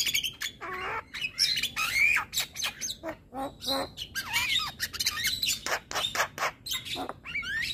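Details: Male Javan myna (jalak kebo) singing, a tutor recording said to make any myna agitated on hearing it; a rapid jumble of harsh squawks, chirps and short rising whistles in dense bursts.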